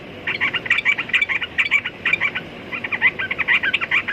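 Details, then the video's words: Sooty-headed bulbul chattering in fast, uneven bursts of bright, clipped notes, roughly two per second, over a steady background hiss and rumble. "Burung Trucukan Kicau Mania"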